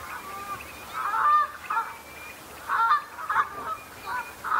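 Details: Common shelduck flock sparring at the start of the breeding season, establishing pecking order and impressing potential mates; loud nasal honking bursts in irregular clusters, with thin drawn-out whistles threading between them.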